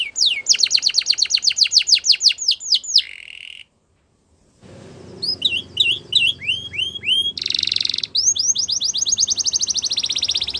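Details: Spanish Timbrado canary song opening with a rapid roll of steep descending notes, breaking off into a short silence, then scattered upswept whistles, a dense buzzy block and a fast closing trill.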